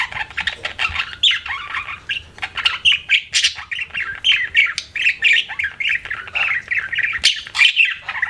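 A budgerigar chatters in a steady stream of quick, scratchy chirps and warbles.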